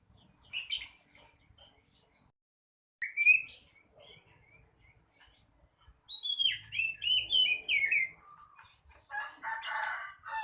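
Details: Oriental magpie-robin, a male kacer in full song: scattered high, shrill chips and a rising whistle, then a long run of quick, slurred whistled notes dropping in pitch, closing with a harsh, buzzy phrase.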